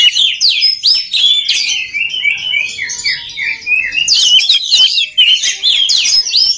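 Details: Oriental magpie-robin singing, played to train other magpie-robins: a continuous stream of varied whistled and slurred notes, many sharply rising or falling, delivered in quick bursts with brief pauses.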